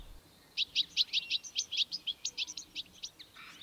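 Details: A European goldfinch sings a quick, tinkling strophe of about sixteen high, bright notes, weaving in its slightly metallic call notes, a typical trait of this species.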